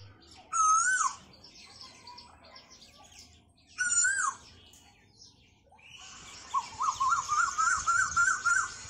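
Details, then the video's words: Asian koel gives two loud, ringing, rising calls about three seconds apart, then a quick bubbling run of repeated notes; other birds chatter softly behind. "koyal ki awaz | cuckoo bird singing songs sound , Asian koel bird singing sound"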